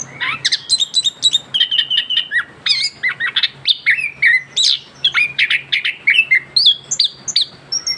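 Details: Young orange-headed thrush, kept bird, in full continuous song right after moulting: dense, loud stream of varied whistles, slurred rising and falling notes and chattering phrases, nearly three notes per second.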